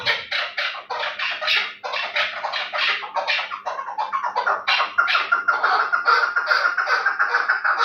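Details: Chukar partridge of the Terali kind, prized for fighting and hunting, uttering rapid, grating chuck notes in close-packed runs, briefly pausing near two seconds before resuming, over a faint background hum.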